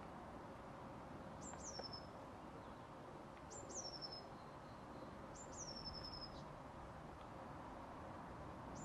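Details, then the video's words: A Blue tit gives three very high, thin notes, each running into a short buzzy trill, about every two seconds over a steady background hiss. "Blue tit"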